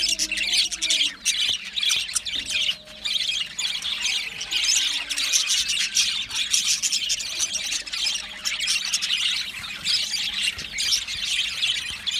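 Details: Contented Australian budgerigars produce a long, steady wash of shrill chirps, squeals and warbled chatter, dipping briefly twice before the dense twittering resumes.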